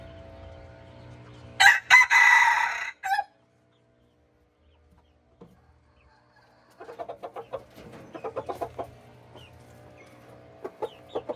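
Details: A single loud, rasping crow from a mixed red junglefowl runs about one and a half seconds, followed by a long quiet gap and then a run of soft, quick clucking notes.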